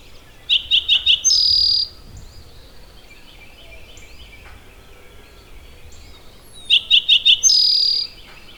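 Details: Eastern Towhee singing at Maxwell Game Preserve, the 'drink drink your tea' pattern: four crisp introductory notes followed by a sustained shimmering trill, given twice, with soft distant bird calls between.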